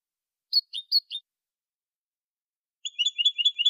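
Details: Copia malaga song of a European goldfinch, edited for tutoring young birds. Four separate high chirps are followed by a long pause, then a quick, steady run of paired twittering notes repeated about every tenth of a second.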